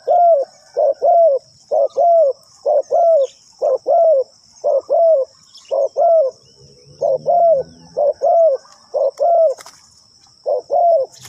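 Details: Decoy spotted dove calling to attract wild birds at a ground trap. A long, steady run of paired, hollow coos repeats roughly once a second for about a dozen phrases over a quiet background with a faint insect hiss.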